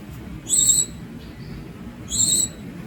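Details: Two bright, high squeaky calls from a young Javan Munia, about one and a half seconds apart, each slightly wavering, with a soft low hum beneath.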